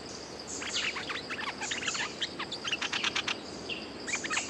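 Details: Resident bulbul calling back at a hung lure bird: rapid bursts of short chirping and twittering notes, busy and rather scratchy, repeated in clusters over a steady insect drone and low rural hum.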